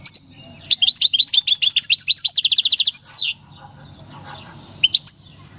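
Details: Wild-caught European goldfinch from El Paso, captured 2018, sings its natural field song: a quick twittering phrase building to a fast even trill, ending in a drawn-out buzzy note, then two lone chirps.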